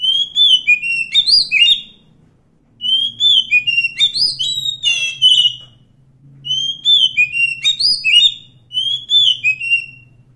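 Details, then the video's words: Forest Oriental magpie-robin, wild, repeating four lively song phrases of rapid, sharply rising and falling whistled notes, each about two seconds long with brief gaps; low hum in the background. "suara asli kacer hutan"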